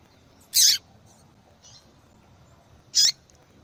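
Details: A female yellow-bellied seedeater calls to arouse a male into song. Two strong, high, clipped notes about two and a half seconds apart, with a faint soft note between them, are heard over quiet surroundings.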